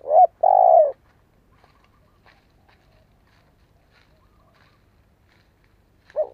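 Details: Spotted dove decoy singer, played so young birds learn to coo. One soft, hollow phrase opens: a short note, then a drawn-out, gently falling coo, then a long quiet gap with faint background rustles and a final brief coo.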